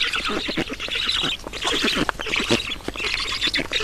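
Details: Black storks feeding at a nest in Estonia, 11 June 2019: choppy bursts of coarse, nasal squawking broken by short gaps, with a sharp click at the very end.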